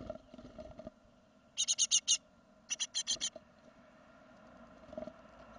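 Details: Great tit, second brood fledging, 2016: two clear runs of five rapid, grating notes stand out over a noisier hiss and hum, with fainter calls at the start.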